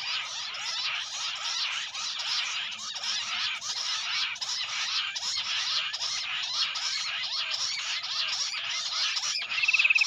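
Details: Jungle bush quail lured by a mobile phone speaker; a sustained, busy chorus of scratchy, twittering chirps, several birds calling at once without pause.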